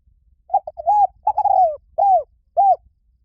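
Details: Low, soft cooing from a spotted dove: paired short hoots leading into a longer coo, a drawn-out descending coo, and two arch-shaped notes evenly spaced at the end.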